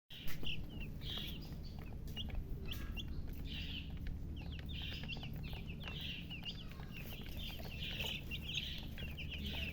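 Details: Chicks, described as thirsty for drinking water, peeping continuously: many short high chirps, some downslurred, overlapping in a steady chorus over a constant low hum.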